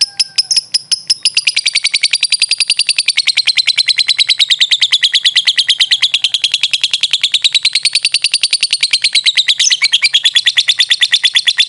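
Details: Lovebird song used as a master recording for training caged birds: a long, rapid, even chattering trill of sharp high notes running unbroken for about ten seconds, roughly three notes per second, wavering slightly in pitch.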